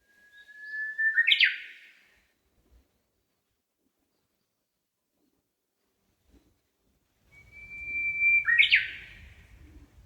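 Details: Songbird in a park in Hondo, Amakusa, Kumamoto, Japan, heard from a shaded walking path in hot early summer. Two phrases, each a thin level whistle bursting into a loud descending chirp, separated by several seconds of near silence.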